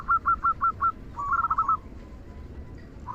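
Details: Perkutut, a local zebra dove, with a "kung" song used as a lure for other doves; five evenly spaced clipped coos, then a fast rolling trill of notes, fading to quieter background.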